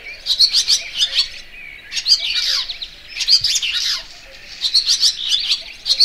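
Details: Barn swallow twittering in three groups of rapid, high chirps, the middle group including slurred descending notes, with quieter pauses between the bursts.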